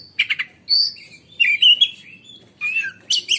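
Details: Caged black-and-white oriental magpie-robin (kacer) in Indonesia, singing in the loud, shrill 'menyambar' style likened to a lightning strike: short sharp trills, then bright slurred whistles and a rising, chattering end phrase.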